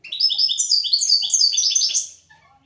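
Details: Continuous high, liquid twittering of a European goldfinch, a rapid jumble of bright chirps climbing slightly, from a recording made to teach goldfinches and canaries to sing; background otherwise quiet.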